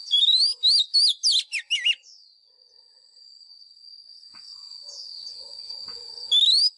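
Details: White-rumped shama fighting-style training song for caged birds: a quick run of looping whistles lasting about two seconds, a gap filled by a steady thin whine, then the next phrase opening.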